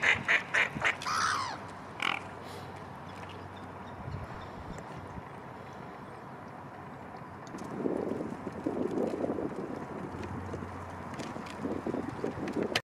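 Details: Black-headed gulls in a town: a quick burst of several harsh, nasal cries at the start, then fading, followed by a steady urban rumble.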